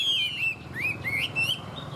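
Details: Short burst from a tame Chinese hwamei in Vietnam: a long, steady, bright whistle, followed by rising whistled slurs and a final level note.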